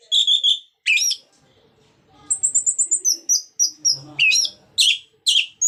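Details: Orange-headed thrush singing a varied, mimicking song meant to prompt other birds to sing: harsh bursts, then a rapid run of thin high pips and a series of chattering, slurred whistles.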